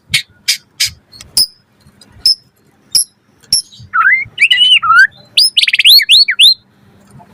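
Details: Energetic white-rumped shama singing full of varied phrases, meant to spur other shamas to reply quickly: sharp clicking notes give way to rich rising and falling whistles, then a fast run of bright looping whistled notes.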